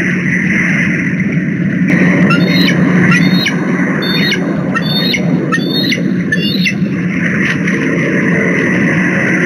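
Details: Two bald eagles loudly present at a Minnesota, USA nest on 10 December 2020, with a third in the distance, amid chases: high, thin, chattering squeals in quick bursts for about five seconds over a low rumble of wind or traffic.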